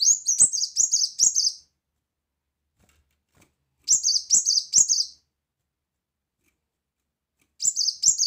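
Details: Brown-throated sunbird tutor song with loud 'shot' phrases: three bursts of four or five rapid, high, ringing notes, each burst separated by several seconds of silence.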